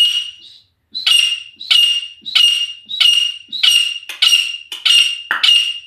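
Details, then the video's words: Wild female grey francolin, a local teetar, calling in a loud, shrill, high-pitched series, each harsh note repeated roughly every 0.6 seconds, the phrases quickening slightly toward the end, with no other sounds. "Dasi Female ke Awaz #Dasi mdi ke voice # Jangli female tetar ke mastii azwaz"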